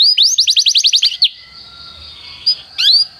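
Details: Canary song used as training for other canaries: a quick run of about nine loud, sharply rising then falling whistled notes, followed by a faint sustained tone, a single chirp and a final short rising phrase.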